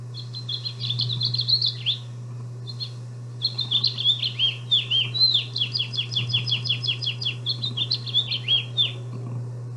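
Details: A male House Finch sings long, fast, jumbled warbles of high slurred and squeaky notes in two bursts, with a steady low electrical hum underneath.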